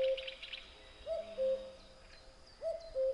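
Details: Common cuckoo singing its two-note cu-coo, the first note slightly higher and the second lower and held, given twice in quick succession and then again after a pause. Faint higher bird chatter sits in the background.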